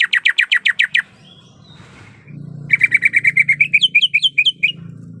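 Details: Female greater green leafbird in heat calling for a male, giving a quick run of eight sharp downward chirps, a pause, then a longer chain of chirps that turn into rising, upslurred notes, with a low rumble underneath.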